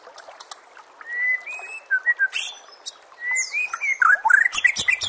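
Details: White-rumped shama song for training birds for contests: long clear whistles rising in pitch, then a busy mix of sweeps, trills and harsh high notes.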